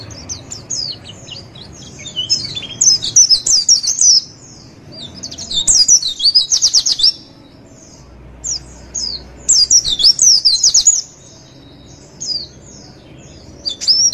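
A white-eye sings high, thin twittering phrases of rapid chirps in bursts of one to two seconds, separated by short pauses, over faint background hiss.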